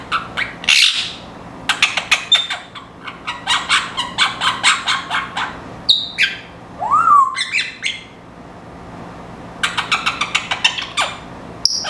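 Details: A pet Timneh African grey parrot gives bursts of harsh chirps and squawks with a single looping whistle.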